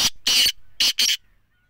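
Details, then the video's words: Black francolin giving four harsh, grating bursts in quick succession: a short note, then three high, scratchy, rasping syllables, with nothing else audible. "bijli Tetar ki awaz"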